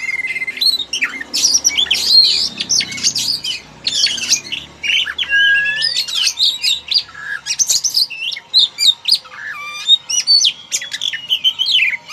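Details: White-rumped shama, black and white, singing loudly indoors: a fast, varied stream of rich whistles, sweeping slurs, chattering squawks and sharp chips, almost continuous throughout.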